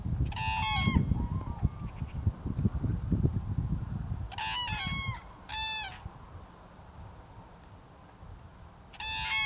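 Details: Common cranes on 16 February 2020 give loud, trumpeting calls in short bursts of two or three notes, several seconds apart, over a low rumble of wind.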